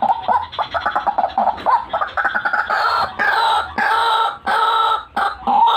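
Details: White-breasted waterhen in an energetic gacoran calling bout used for luring birds: rapid harsh croaking notes with stuttered chatter, then longer loud buzzy blasts repeated about every half second.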